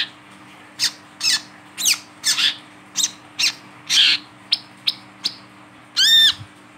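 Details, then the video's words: Wiceh held in the hand while calling, a recording offered as a lure for untrained wiceh, gives a loose run of sharp, high chirps and harsh squawky notes at an uneven pace, ending in a ringing, slurred harmonic note. "WICEH GACOR DI PEGANG BUNYI"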